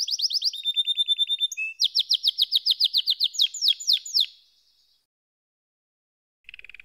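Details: Canary sings quick bright chips and a long trill of sweeping notes, then stops; after a silence a brief low buzzy roll is heard.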